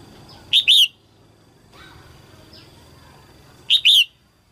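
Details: Red-whiskered bulbul hen singing early in the 2022 season to prompt males. She gives two bright double-note phrases roughly three seconds apart, with faint downslurred chirps and a low background hum in the gap.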